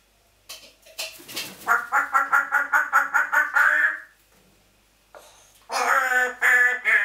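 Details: Pet African grey parrot making noises: a rapid run of about a dozen harsh, rhythmic clucking notes, a pause, then louder rough harmonic calls.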